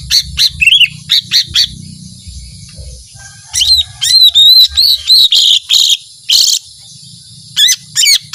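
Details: High, fast lesser green leafbird song, 'tembakan panjang' style, with tight runs of chirps, ringing upslurred whistles and a few harsher buzzy notes, briskly repeated over soft low background noise.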